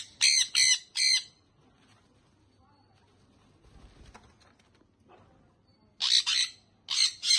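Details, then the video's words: Baby sun conure parrot uttering three rapid harsh squawks at the start, a long quiet pause, then louder, longer rasping squawks repeated toward the end. "sun conure baby parrot"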